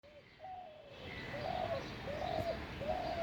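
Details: A spotted dove in North Kolkata, India, on 10 February 2021 gives soft, low, slightly arched coos, about four in three seconds, over a steady wash of background hum.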